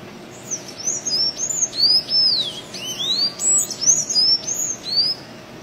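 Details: Sayaca tanager singing free in the wild: a quick run of thin, high squeaky notes, each a short slurred whistle rising or falling, delivered in an uneven string of about three per second over a steady low background hiss.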